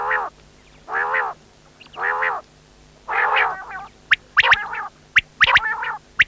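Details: Quail giving four drawn-out, nasal, harmonic-rich calls about a second apart, followed by a burst of sharp, clipped chirps.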